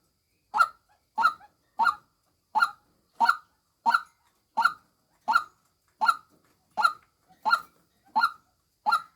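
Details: Female white-breasted waterhen producing a regular run of about twelve brief, rasping, honk-like notes, evenly spaced near 0.65 seconds, against silence.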